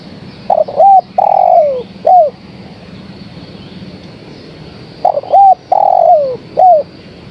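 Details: Two repeated call phrases from a female spotted dove calling for the male, separated by roughly four seconds of quiet. Each phrase is a broken coo, a rounded coo, a long falling slur and a brief arched end note.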